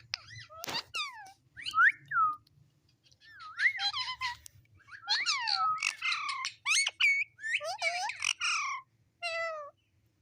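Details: Pet talking parrot chattering in a steady stream of bent, whistled and nasal syllables, some rising and falling like speech, with few gaps over ten seconds.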